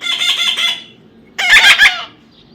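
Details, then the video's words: Two harsh calls from a baby parrot being tamed: a longer, drawn-out, buzzy squawk, then after a pause a shorter burst of three rough pulses. "natural funny parrot sound"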